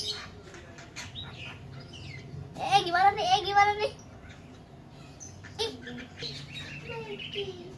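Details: Lovebird chicks, separated from their parents and being hand-fed, give a burst of rapid, harsh, wavering chirps over about a second, with scattered softer squeaks before and after, over quiet human speech.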